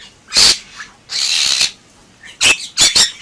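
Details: Bali myna in full gacor song: loud rasping screech, a drawn-out hissing squawk, then a paired set of sharp, piercing calls.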